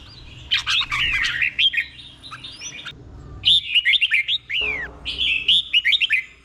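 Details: Slow, clear เบิ้ล song of the red-whiskered bulbul, played so kept birds learn it; busy overlapping whistles at first, then neat runs of quick down-slurred notes near the end.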